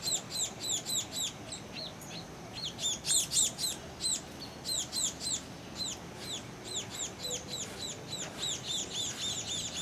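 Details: Pair of juvenile Lonchura punctulata particeps begging for food on flying back into the nest, Tangkoko, Sulawesi, Indonesia, 22 August 2014. Rapid high squeaky chirps, curved and down-slurred, pour out in bursts of several notes, nearly continuous with brief lulls.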